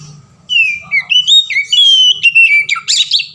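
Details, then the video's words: Oriental magpie-robin giving a long 'ngeplong' variation song meant to lure other magpie-robins into singing: a continuous stream of sweet whistles rising and falling in steps, ending in scratchier, buzzy notes, with a faint low murmur underneath. "SUARA KACER NGEPLONG VARIASI | PANCINGAN KACER"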